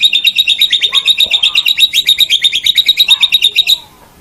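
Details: White-rumped shama singing, from a master recording for training songbirds: a rapid, evenly repeated high chattering trill of about six notes per second that runs for nearly four seconds and then stops abruptly.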